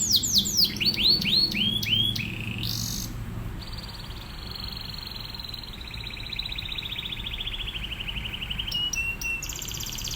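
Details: Atlantic canary song recorded as training material for other canaries: quick rising whistled syllables at first, then long sustained high trills and churring tones, with a low hum beneath.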